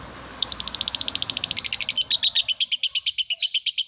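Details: After a quiet start, a lovebird breaks into rapid high chirps that speed up and grow louder, a fast even chattering run to the end.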